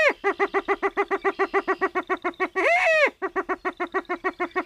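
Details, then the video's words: Black grouse giving fast, evenly paced cooing notes, about four a second, broken once by a longer, louder arched note; a faint high tone sits in the background. "Sounds of Black grouse"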